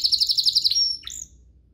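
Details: Canary song played to stir other canaries into singing; a quick rattling trill of about eight notes slides into a thin sustained whistle, then a short rising chirp and fades.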